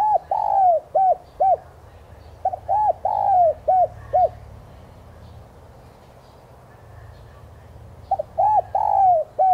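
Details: Spotted dove cooing as a lure played to make caged doves call. Three phrases of soft, hollow coos, each of short arched notes and one longer drawn-out coo, with a silent pause between the second and third phrase.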